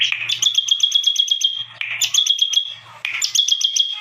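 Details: Bar-winged prinia in lively, unusual song: repeated bursts start with a harsh rising note, then run into quick pulsed high ticks over a level whistle, with a faint low hum beneath.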